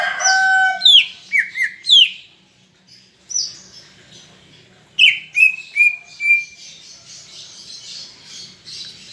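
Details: Greater green leafbird singing energetically: a run of loud, clear whistles slurring downward, then a pause, then a second burst of sliding whistles trailing into soft buzzy twittering.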